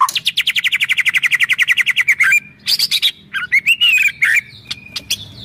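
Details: White-rumped shama delivering kretekan, a song full of sharp 'shots' used to provoke other birds: a fast rattling trill of about fifteen notes per second for two seconds, then harsh bursts and short whistled notes.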